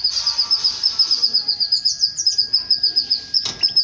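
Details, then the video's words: Male canary mating with its female, singing a long sustained high trill of evenly repeated notes, a few slurred whistles midway, and a short sharp rustle or wing flap near the end. "تزاوج طائر الكناري مع أنثاه بعد سماعه هده البتبته"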